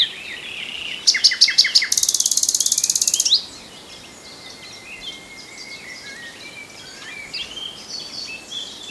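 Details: Common nightingale delivering a short burst of staccato notes, then a rapid, dense buzzing trill lasting over a second, followed by quiet with faint thin notes from other birds far off.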